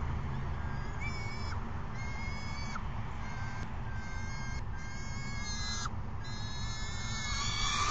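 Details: Peregrine falcon chicks calling to an adult, recorded May 29, 2022 around midday; harsh screeching bursts repeated about four times a second in ragged runs, with steady low background hum throughout.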